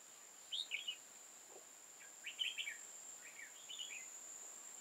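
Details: Red-whiskered bulbul recorded while trapping on 15 October 2018, delivering three separate bursts of lively chirping, warbling phrases over a steady high whining insect background.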